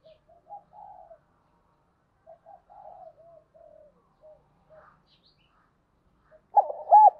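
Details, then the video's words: Lure singing of a spotted dove, used to provoke rival males; soft, faint coos and murmured notes scattered through the first seconds, then a sudden loud pair of throaty coos at the close. "tiếng cu gáy mồi giọng hạp bổi dùng kích bổi rất hiệu quả"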